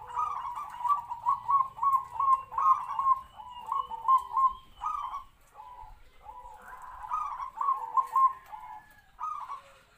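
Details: Decoy zebra dove, a captive-bred local bird of three to four years, sings in a medium voice to draw wild doves. It gives repeated burry kwor kwor coos in stuttering bursts, many phrases over ten seconds with brief pauses.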